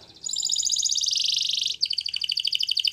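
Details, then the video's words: Spanish Timbrado canary song: a dense buzzy trill of rapid notes around mid-high pitch for a second and a half, then a brief pause and a quicker, choppier repeated phrase. "Canary Bird Singing !! Spanish Timbrado Song"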